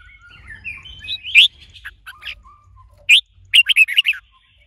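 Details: Red-whiskered bulbul in training, a female used to excite the male into song: soft warbled notes give way to sharp whistled chirps, then a quick burst of five or six loud clipped notes near the end.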